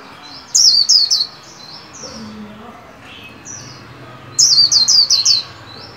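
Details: Caged white-eye in song training at the new year: a rapid string of four piercing downslurred whistles, quieter high chips and a brief low murmur, then another quick run of five falling 'líu' notes.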